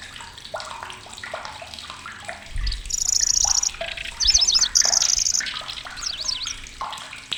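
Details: Migrant lanceolated warbler heard in Indonesia: loud, piercing song of short, high, dry reeling trills alternating with rapid zigzag notes, repeated across several seconds amid many other chirping birds and a water-like background hiss.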